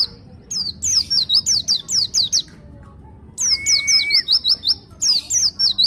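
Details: Ngeroll-style song of a pleci dakun white-eye from Malang, Indonesia: bursts of shrill, high downslurred chirps in fast rolling runs, a short pause, then another run with a brief lower steady whistle.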